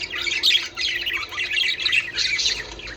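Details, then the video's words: Budgerigars chattering, played to stimulate pairing and breeding: rasping squawks mixed with rapid chirps in three loud swells, without pauses. "من أجل تحفيز طيور البادجي على التزاوج"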